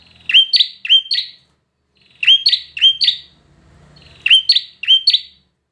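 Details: Bar-winged prinia song in three short bursts, each of three or four sharp two-part chips with buzzy tails, separated by brief pauses of about a second.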